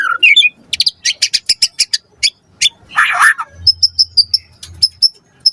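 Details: White-rumped shama lure song for prompting a reply: a whistle, then a series of sharp clicking high notes and a harsh burst, followed by short high piping notes over a faint low hum.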